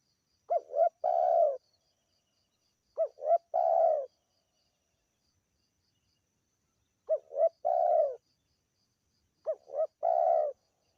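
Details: Local spotted dove, its call used as a lure to attract birds: four clear phrases, each two short quick notes followed by a longer throaty rolling coo, repeated every two to three seconds over near-silence.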